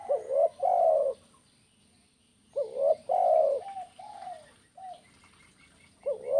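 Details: Spotted dove giving the 'kuk 1' style cooing used to get other doves calling: two loud, hollow, rolling coo phrases, each a quick rising note and then a long falling coo, with a few softer single coos between.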